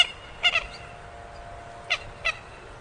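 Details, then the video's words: Swamphen giving two pairs of short nasal honking notes, separated by a pause of over a second, against quiet background hiss. "SUARA BURUNG MANDAR"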